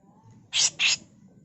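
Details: Female grey-cheeked bulbul giving a harsh tutor song for training other birds: two quick rasping, noisy bursts in close succession over faint background hum.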